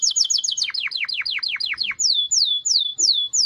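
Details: Canary song in quick tours: a fast high twittering roll, then a series of falling whistled sweeps, then slower, evenly spaced down-slurred notes repeated roughly three times a second.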